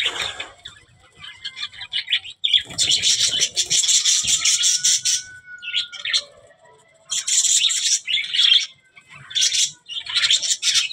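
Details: Budgerigar chattering in dense, scratchy bursts of high warbling, broken by a smooth sliding whistle in the middle and a short quiet gap before the chatter returns in rapid clusters.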